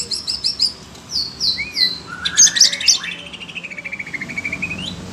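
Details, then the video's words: Caged Oriental magpie-robin (kacer), agitated on hearing other birds, sings high whistled slurred notes and short repeated downward sweeps, then a long rising whistled glide breaking into rapid trilled notes; faint low hum beneath. "Kacer SUNEO emosi denger suara burung lain"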